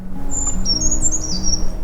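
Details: A Brown Creeper, a tiny woodland bird, in Allegheny National Forest sings its brief jumble of very high, thin, sibilant notes, wavering up and down for about a second and a half, over a low background hum.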